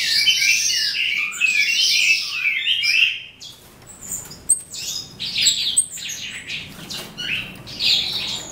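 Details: Eastern calandra lark (Melanocorypha calandra psammochroa) starting to sing at the end of the day: a fast, scratchy stream of chirps and buzzy trills, high-pitched notes tumbling in quick bursts with brief pauses.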